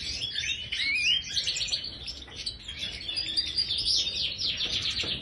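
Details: European goldfinch, major subspecies, in an aviary: a sustained high tinkling warble mixing sharp chirps, quick trills and rising whistled slurs, steady and busy from start to finish.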